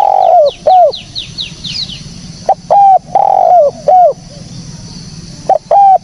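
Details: Spotted dove lure recording: repeated falling coos grouped in phrases, with a run of quick high downslurred chirps from another bird in the first two seconds, then more clear coo phrases.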